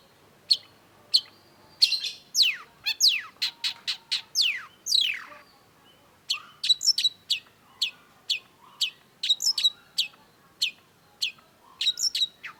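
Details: Long-tailed shrike in full, busy song for tutoring songbirds: fast sweeping downslurred whistles give way to a long series of crisp high chirps and doubled notes, varied and continuous.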